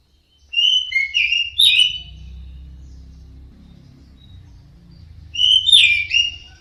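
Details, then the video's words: Orange-headed thrush song meant to prompt caged birds to sing: a burst of rapid varied whistles and harsh notes, a pause filled by low hum, then a similar vigorous burst. "TERAPI SUARA BURUNG ANIS MERAH DIJAMIN NYAUT DAN GACOR"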